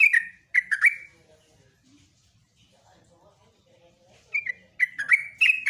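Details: Yellow-vented bulbul (jogjog) morning ropelan song: a few quick bubbly downslurred whistles, a quiet gap with faint background sound, then a renewed run of rapid chattering notes.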